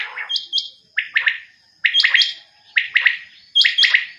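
California Quail giving loud, sharp, clipped phrases of two or three notes, repeated about once a second, with no other sounds in the background.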